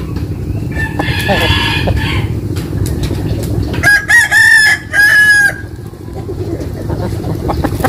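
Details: Morning crowing of roosters at a village home: one long layered crow early, then a later crow broken into two drawn-out, slightly falling phrases, above steady low background hum.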